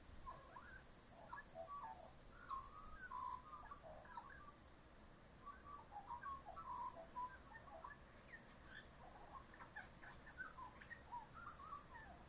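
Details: Magpie in a back yard singing varied whistled and warbled phrases, many copying other local birds; short fluty notes and slurred whistles come in loose bursts over about twelve seconds against steady low background hum.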